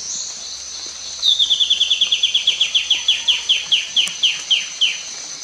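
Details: White-bellied Antbird in Panama, 5 September 2019, gives a series of about eighteen sharp, down-slurred whistles that drift lower and slow toward the end, over a steady high insect drone.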